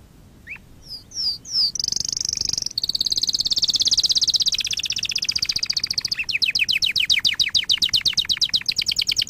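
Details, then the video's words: Canary song for canary training: a few slurred rising notes, a high rolled trill, a fuller descending roll, then a long run of rapid, clipped repeated notes. "Kanarya ötüşü- Kanarya dersi-kanarya coşturma"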